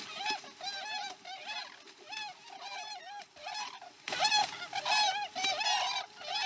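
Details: Osprey calling at a Chesapeake nest during a slow-starting morning feeding, 2019-12-12: steady rhythmic chains of sharp, downslurred whistled chirps, louder and busier in the second half, over a faint hum.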